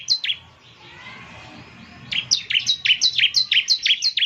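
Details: Actively singing 'semi' bar-winged prinia used as playback to get a caged bird to call: a couple of high chirps, a faint hissy pause, then a brisk, regular series of sharp descending notes.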